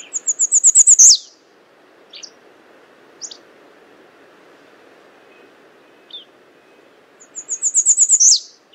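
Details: American redstart calling: a high, thin run of quick repeated notes that speeds up and ends in a downslurred flourish, a few isolated chips between, then the same phrase again, over a low steady background hum.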